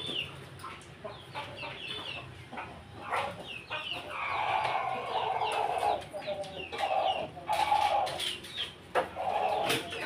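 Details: Pelung chicken in a house yard in Jogja: a long, drawn-out harmonic crow held for about two seconds, then further sustained notes, amid steady clucking from other fowl and high chirps of small birds.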